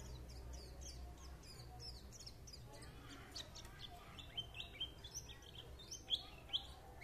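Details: Quick high twittering of a white-eye, soft sliding chirps at first, then sharper, louder pips spaced about half a second apart toward the end, with faint low rumble.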